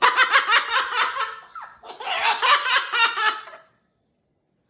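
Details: Bursts of hearty human laughter and giggling indoors, then silence; no animal sound.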